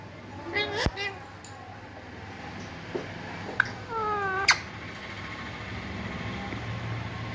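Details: A green Indian ringneck parakeet (rose-ringed) talks in a high, nasal, speech-like voice ("I love you"), with two short phrases about three seconds apart and sharp clicks between them.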